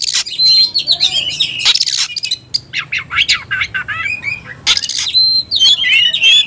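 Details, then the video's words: Agitated kacer, or Oriental magpie-robin, in fighting song: a varied jumble of whistles, rasps and quick chattering notes, including a pure sustained whistle near the end. "membakar emosi kacer, kacer gacor tarung ngobra"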